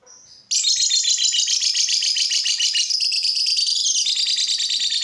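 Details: Lovebird song used to prompt other lovebirds to sing: after a brief faint chirp, a loud, continuous, rapid buzzy chatter of high, trilled notes runs unbroken for over four seconds, sliding slightly lower toward the end.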